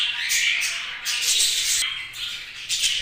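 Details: Short stretch of harsh budgie chattering, grating high chirps in a few clustered bursts, fading out at the end.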